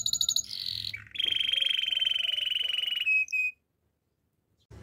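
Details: Canary training song. A short high trill and a buzzy tone lead to a long, steady, rolling trill lasting about two seconds and two brief tones, followed by silence.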